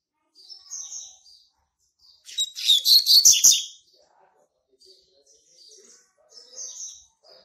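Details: Double-collared Seedeater, young male born March 2019, singing to mark territory. Soft high chirps lead into a loud, dense burst of rapid twittering with clicking accents, followed by scattered quiet high notes.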